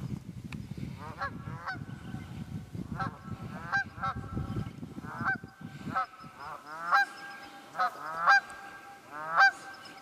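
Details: A flock of wild geese in the Quehanna Wild Area, Pennsylvania, on 27 February 2018, honking repeatedly; low rumble fades after six seconds, leaving louder, clearer honks in quick succession.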